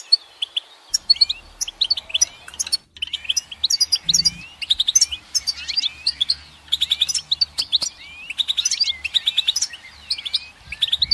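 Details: Goldfinch song: fast, bright twittering phrases of high tinkling notes and short slurred whistles, delivered in bursts with brief pauses between them.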